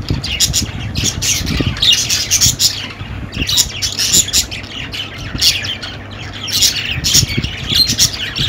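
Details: Budgerigars chattering continuously, a dense stream of quick, scratchy chirps and squawks with short warbling bursts overlapping one another, over a low background rumble.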